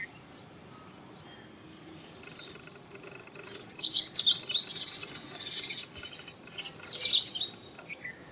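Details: Indian robin song: two rich, rapid twittering phrases of high zigzag notes several seconds apart, with isolated thin chirps between them in a quiet setting.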